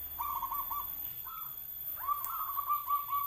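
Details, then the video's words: Big-voiced local zebra dove of Noyorono katuranggan sings a run of four rolling coos, a short single note, then a longer stuttering phrase of bubbling even-pitched notes over light background hiss. "SUARANYA GEDE PERKUTUT LOKAL ALAM KATURANGGAN NOYORONO"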